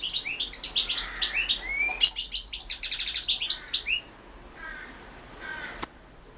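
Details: European goldfinch singing in a world championship song competition, Balkan goldfinch line: rapid twittering phrases of high buzzy and liquid notes for four seconds, then quieter chatter and a sharp click near the end.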